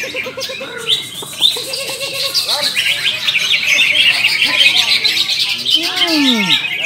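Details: Several caged greater green leafbirds (cucak ijo) sing at once in a bird-singing contest class: a dense, rapid stream of bright whistles, chattering trills and sweeping slurred notes, with people murmuring behind.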